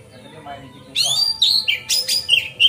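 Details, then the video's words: Lure song of a magpie-robin, sung freely to get other magpie-robins to open their tails. After a near-silent start, loud, rich phrases mix sharp clicks with clear whistles, ending in short level whistled notes. "Pancingan Kacer Gacor Ngeplong Santai Bikin Buka Ekor Kacer Lain"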